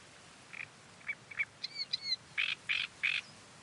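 Reed warbler song: harsh, grating chirrs mixed with a few thin whistled notes, uttered in quick bursts about three per second over a faint rustle of wind.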